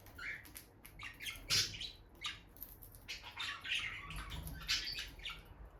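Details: Bonded peach-faced lovebird couple near the nest box gives sharp chirps and squawks mixed with clicking, rustling movement sounds and low bumps.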